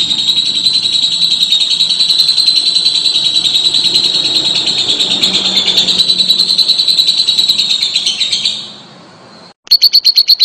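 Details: Lovebird holding a long ngekek trill, a steady stream of fast, high, buzzy pulses for about nine seconds. The trill fades out, then after a brief silence a few loud sharp notes burst in at the end.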